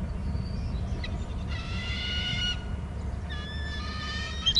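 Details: Eagle at a Hornby Island nest during a parental changeover on the eggs, giving two drawn-out, even, harmonic screeches about a second long, separated by a pause, over constant low wind noise.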